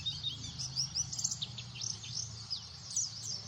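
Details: White-eyes in a noisy flock: dense, high, thin twittering with quick rising and falling chirps overlapping continuously, and a low steady hum underneath.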